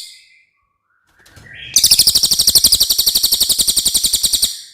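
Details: Cililin voice recorded as training material for contest birds: a short rising whistle leads into an intense, very high, rapidly pulsed trill of about four beats a second lasting nearly three seconds.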